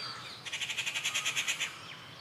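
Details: A rufous treepie at Kattupadi, 19 June 2021, lets out a quick scratchy rattle of around thirteen pulses in just over a second, loud and grating, over faint background hiss.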